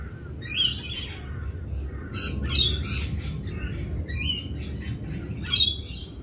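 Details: Rainbow lorikeets in mating season, noisier than usual as they perform a mating dance; shrill, scratchy screeches come in bursts roughly every one to two seconds, with a steady low background hum beneath.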